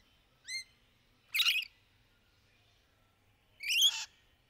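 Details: Rainbow lorikeet (Trichoglossus moluccanus) in trees during courtship: a short rising whistled note followed by two harsh, buzzy screeches about two seconds apart, against quiet background.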